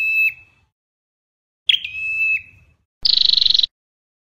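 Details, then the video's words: Flowerpecker song used to lure birds into traps: two sustained, thin whistled notes, each ending in a slight dip, followed by a loud, rapid, buzzy pulsed trill lasting about half a second. There is no other sound. "Giọng Chuẩn Bẫy Loa Chim Sâu Đầu Đỏ"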